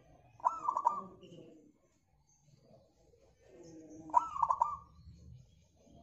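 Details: Local zebra dove singing as a lure for other birds: two phrases of an opening note and rapid warbling coos, separated by about four seconds, over faint low rumbling background noise.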